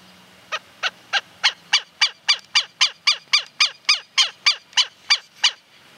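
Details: Greyish saltator recorded in 2022 in Esperanza, Santa Fe, Argentina, among feeding observations: a steady series of about seventeen harsh, nasal notes, roughly three per second, swelling slightly in the middle, over a quiet rural background.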